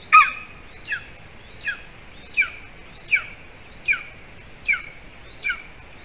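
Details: Evening prey delivery at a golden eagle nest in Latvia, with the adult male bringing a larger bird for the chick; a run of eight evenly spaced, piercing downslurred chirps, roughly one every 0.75 seconds, over faint hiss.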